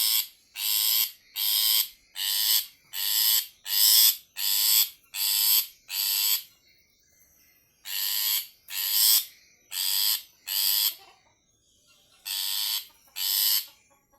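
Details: Long-tailed shrike calling a female: a series of harsh, grating notes, each about half a second long. There are eight evenly spaced notes, a pause, four more, then a final run of three.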